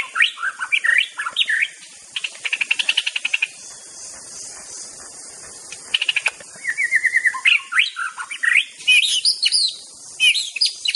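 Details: White-rumped shama of the Aceh type, a master-song recording: clear whistled phrases swooping between low and high notes, a fast dry rattling trill in the second and third seconds, then a pause and varied sweeping whistles ending in thin high notes, over steady faint hiss.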